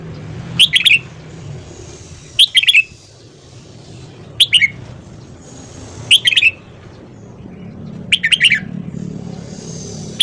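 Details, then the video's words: Red-whiskered bulbul morning song for voice training: five short, cheerful phrases of three or four clear, quick notes, repeated roughly every two seconds, over a low background hum. "luyện giọng chào mào hót sáng"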